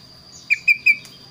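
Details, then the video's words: Kaso-kaso bird singing actively, its voice unique and varied. Three quick, bright, level whistled notes in a row, followed by a faint rustle, above a steady high thin tone and low murmur. "burung kaso kaso gacor suara unik"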